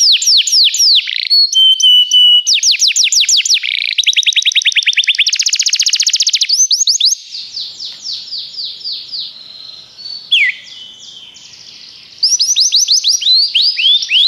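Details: Training song of a Belgian canary, made of rapid repeated trills and rolls that shift between tours, with a softer, quieter passage in the middle before loud fast sweeping notes return.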